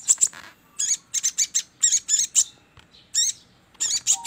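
Crimson Sunbird giving very high, thin, sharp chirps in quick pairs and short bursts, repeated every half second or so, with a quiet background.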